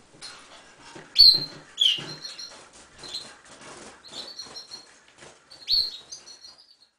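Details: Pet canary singing, a loose series of clear whistled notes and short trills, with a few loud sharp upslurred notes standing out, amid scratchy rustling and small clicks, possibly from movement in a cage.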